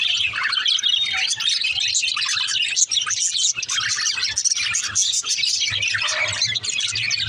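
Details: Female budgies kept as pets chatter continuously: dense, high, twittering and buzzy warbled notes, with a faint low hum underneath.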